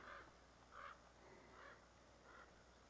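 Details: A common raven parent, one of a pair guarding fledglings at dusk, gives four harsh, hoarse calls about every 0.8 seconds while harassing a large adult bobcat; faint outdoor background noise.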